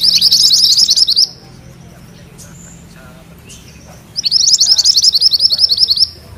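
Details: Rolling song of mantenan kuning: two bursts of rapid, high, chattering notes, each about two seconds long, separated by a quiet gap with faint scattered chirps.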